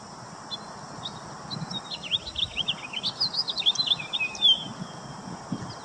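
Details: Domestic chaffinch singing: a brisk series of high, sharp notes that speeds into a descending trill and ends in a bright flourish, with steady background hiss.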